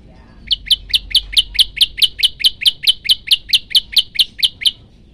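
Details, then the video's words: Hungry Olive-backed Tailorbird (prenjak lumut) singing actively in a long-shot variation: an unbroken train of about twenty crisp, high, metallic notes at a quick steady tempo, ending abruptly after four seconds. "prenjak lumut lapar gacor"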